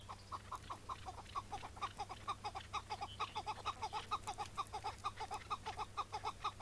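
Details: Chukar partridge calling on a May morning in 2017 during a decoy hunt in which a wild partridge was caught and later freed; a steady, rhythmic string of throaty chuk notes, about two per second, runs throughout over low hum.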